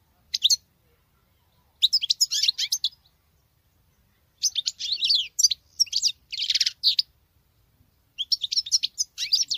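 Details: Goldfinch female performing song resembling a male's: several bursts of rapid, scratchy, twittering high notes spaced by pauses of one to two seconds.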